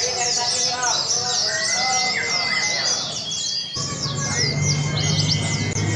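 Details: Contest Oriental white-eyes at a song competition training in Sungai Pinyuh, 29 January 2017, keep up a busy high-pitched twittering chorus of quick downslurred notes, while voices murmur and a low engine-like hum starts partway through.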